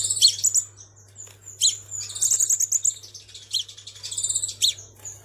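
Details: Crimson sunbird used as a lure, very high thin sharp chips and rapid trilled twitters, repeated in short bursts, with a steady low hum underneath.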